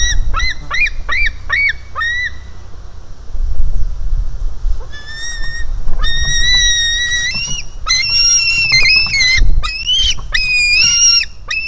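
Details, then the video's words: Hungry White-tailed Eagle chick at a nest in Finland, filmed on a live nest camera on 4 July 2018, jumping toward its parent; a series of short high squeals, then longer drawn-out whistled cries, with low wind rumble throughout. "A hungry Suvi jumps to Mom"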